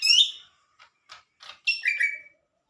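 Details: Lesser green leafbird singing vigorously: a loud sweeping whistled phrase, then short scratchy notes at about 0.3-second gaps, ending in a bright run of rising and falling whistles.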